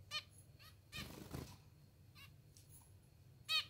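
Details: Hand-fed hungry zebra finches kept as pets: a brief nasal begging chirp at the start and a louder one at the end, with faint chirps and a rustling scrape between.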